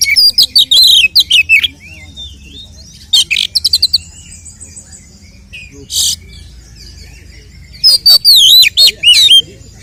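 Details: Oriental magpie-robin fighting song played to rouse other males: rapid chips and wavering whistles at first, scattered clicks and a sharp burst mid-way, then a closing run of wavy, rising and falling whistled notes.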